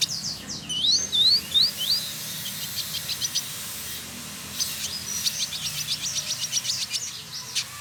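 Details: Singing male village indigobird, known as trotol, Bandung, Indonesia: loud high upslurred whistles repeated in a short series, followed by long stretches of rapid, scratchy ticking chatter.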